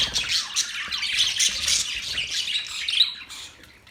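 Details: Parrot chatter with sharp squawks and rapid chirps layered over one another, loud bursts early and a single piercing note near the end before it thins out.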